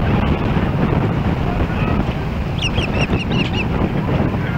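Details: Osprey at a Missoula, Montana nest in Hellgate Canyon on July 4, 2016, captured by a nest cam while another osprey approaches: a brief series of six or seven clipped, high whistled notes against strong wind noise.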